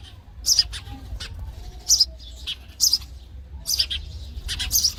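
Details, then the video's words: Sparrow chicks in the nest chirping for food while being fed; high, hissy squeaky bursts repeated at irregular intervals, about five in five seconds, over a low background hum. "Baby sparrow chirping sound for food"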